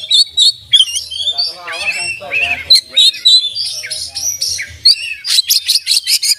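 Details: Oriental magpie-robin song full of mimicry and tutor phrases: whistled notes and squeaky warbles with some chattering mid-clip, closing with a fast run of sharp repeated notes.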